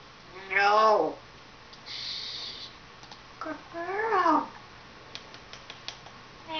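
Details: Female African grey parrot, about 14 years old, kept indoors as a pet, talking: two loud slurred, speech-like utterances with falling tones, separated by quieter murmurs and faint clicks.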